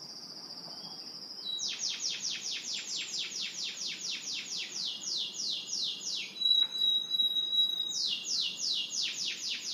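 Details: Champion Russian canary from Miami singing as a tutor for juvenile birds. A thin steady high whistle gives way to long runs of rapid descending notes, then a brief buzzy phrase, then more fast rolling trills.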